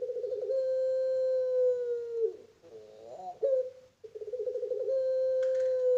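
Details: Farm-bred pelung Barbary dove giving a long, level, mellow coo of over two seconds that ends in a dip, followed by a short warbling bubbly phrase and a second long sustained coo.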